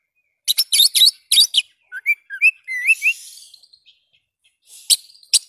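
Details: Oriental magpie-robin (kacer), a bird kept for song training, sings a varied phrase: bursts of harsh chattering notes, then several clear rising and falling whistles, ending with scattered sharp chips.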